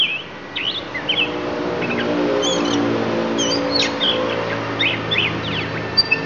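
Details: Lampung magpie-robin giving its isian, a patter of quick high chirps and clipped whistles, partly masked by a loud engine-like rumble and hum in the background.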